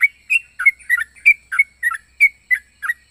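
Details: Evenly spaced, bright slurred chirps from a yellow-vented bulbul, about three per second, each note bending downward; part of its unusual song.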